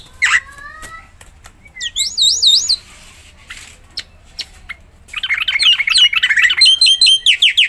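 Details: Black-winged myna, a Javan white starling, singing vigorously to prompt other mynas: whistled slurs, looping high warbles, then a dense stretch of harsh, repeated chattering notes.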